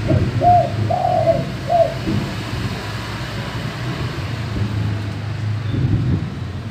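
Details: Male spotted dove singing in the deep 'gembur' or 'bongor' manggung style, used as a lure to get other doves calling: four mellow low coos in the first two seconds, the third drawn out, over a steady low engine-like rumble.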